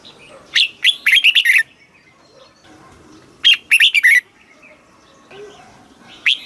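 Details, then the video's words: Caged red-whiskered bulbul from Thailand singing in the southern master-song style, used to stimulate birds and teach young ones: two quick bursts of bright, liquid whistled notes about three seconds apart, then one lone sharp note at the end. "เสียงนกกรงหัวจุก สำหรับต่อ หรือ เปิดให้นกคึก"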